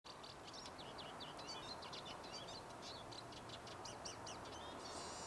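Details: European greenfinch singing on 10 April 2019: a fast run of twittering, trilled notes ending in a drawn-out nasal wheeze, over steady background rumble.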